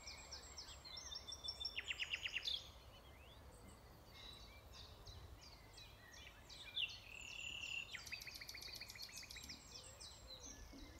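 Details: Common nightingale song recorded at Alners Gorse in Dorset. A burst of rapid, even pulsed notes is followed by quieter varied chirps and whistles, then a second fast, high rattling run, all over faint background hiss.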